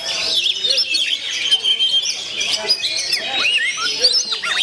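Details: Oriental magpie-robin pouring out its gondo mayit song, a dense blend of high whistles, twitters and looping slurred notes with constant energy.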